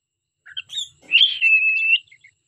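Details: A few soft chirps lead into a long, bright whistle from a singing pet cockatiel, held steady for nearly a second before trailing off in faint chirps.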